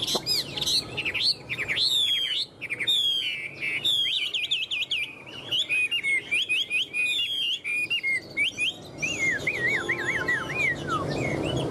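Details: Tame caged Chinese hwamei pouring out fast, energetic whistled song, with wavy trilled phrases and sweeping slurs repeated without much pause, ending in a falling run of warbled notes over faint background rustle.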